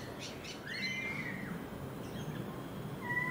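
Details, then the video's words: A Sydney currawong sings in a garden in Enmore, NSW, giving loud, ringing whistled notes, one drawn-out and slightly rising, then a shorter whistle after a pause, over steady low background rumble. "Sydney Currawongs"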